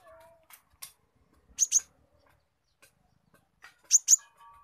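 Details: Spotted sunbird (konin trotol) giving squirrel-imitation notes: two pairs of shrill, very high chirps, well spaced, with faint softer ticks and a low background whistle between them.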